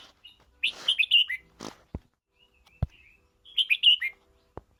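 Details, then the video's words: Red-whiskered bulbul song in two bubbling, whistled phrases of rapid notes, separated by a pause with sharp clicks and a soft rustle. "Chào mào hót kích bổi ra giọng"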